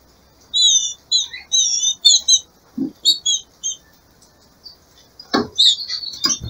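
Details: Female green-winged saltator, kept by a breeder, calling in breeding season to excite the male. Quick bursts of high, thin, downslurred chirps come in rapid runs, separated by a few dull knocks.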